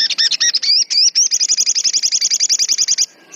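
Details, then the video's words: Agitated, actively singing crimson sunbird (sogon): rapid high, sharp chirping notes, a few wavering upslurred whistles, then a fast even trill of buzzy notes at roughly three to four per second, ending abruptly. "Suara burung sogon gacor"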